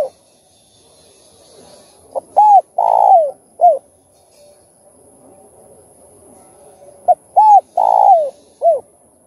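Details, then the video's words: Spotted dove cooing in the full set of styles called thúc, gù and gáy gọi, played to stir up other doves: two matching phrases of soft hooting coos, each with a longer swelling middle note, about five seconds apart. "Chim Cu Gáy Kích Bổi Đủ Bài Thúc - Gù - Gáy Gọi"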